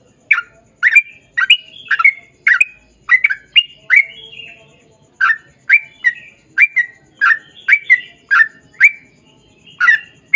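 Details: Long continuous 'ropel' song of a Sooty-headed bulbul, meant to lure others of its kind; rapid runs of bright chirping notes, a short silence midway, then another quick series.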